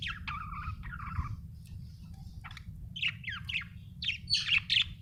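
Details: Budgerigar chirping happily: curving whistled notes, then scratchy chatter and a run of looping, squeaky warbled chirps over a continuous low background hum.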